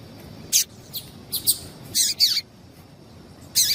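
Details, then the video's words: Female yellow-bellied seedeater call used to stimulate males: sharp high chirps, a doubled note, then a longer buzzy phrase sliding downward, and a final bright chirp, with soft low background noise. "Melhor Piado de Fêmea de Papa capim Para Esquentar Papa capim"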